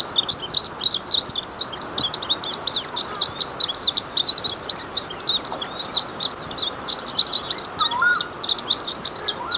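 Glaucous-blue Grosbeak song: a fast, continuous, high twittering warble of short chirped notes running without pause, over faint background hiss.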